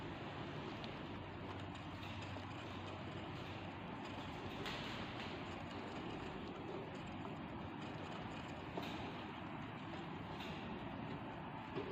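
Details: A constant broadband rumble and hiss fills the whole stretch, much like a vehicle or train running nearby. A faint click or two breaks through, but no animal calls can be picked out.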